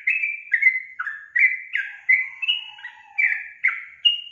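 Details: Gacor singing by a trucukan, or sooty-headed bulbul: steady chains of short whistled notes at medium pitch, dipping and rising, with a faint lower whistle drawn out in the background.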